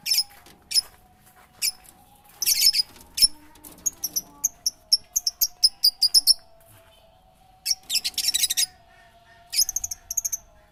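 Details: Birds chirping: bursts of high, thin, rapid chirps and trills, some in quick runs of clipped notes, separated by short pauses, over a steady faint hum.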